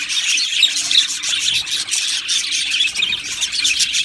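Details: Budgerigar colony in an aviary: overlapping squawks and chirps form a constant high babble, with occasional louder squeaky notes and a faint low hum.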